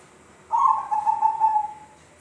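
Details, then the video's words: Strange-sounding call of a zebra dove: one steady, rapidly quavering coo about one and a half seconds long, slightly fading toward its close, over a quiet background. "Perkutut bersuara aneh"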